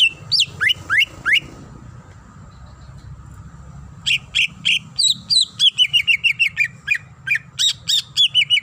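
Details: Female greater green leafbird, calling the male, opens with looping rising whistles, pauses, then launches into a dense, fast series of sharp chirps and slurred descending notes.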